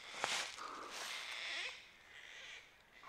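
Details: Gang-gang Cockatoo in the hills of Victoria, Australia, where Macquarie perch live, giving harsh, creaky, drawn-out rasping calls, one loud burst then softer scratchy notes over about three seconds, in quiet open bush.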